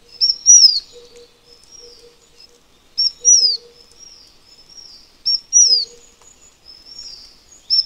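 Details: ['Taiwan fulvetta, an endemic Taiwanese bird of high mountains that winters at mid elevations, giving a high thin phrase: a short note then a bright whistle sliding down, repeated about every two and a half seconds, with a faint low hum.']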